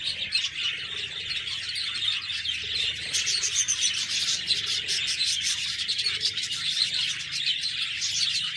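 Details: Budgerigars in a group chirping and chattering continuously, a dense stream of high, scratchy warbles and short tweets with no pauses.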